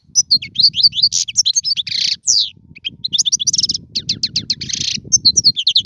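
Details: European goldfinch singing for young birds to learn from: continuous high, liquid twittering with buzzy wheezes and quick trilled runs, notes tumbling almost without pause, with a soft low background hum.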